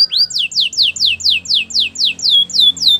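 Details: Canary training song to woo other canaries: evenly spaced, loud, falling whistled sweeps, roughly four each second, clear against a quiet background.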